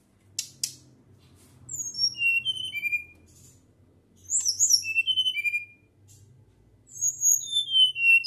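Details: Flycatcher in lively, full natural song with a fluting, whistled voice: three bursts of high, clear whistled notes, many sliding downward, separated by short pauses, over a faint low hum.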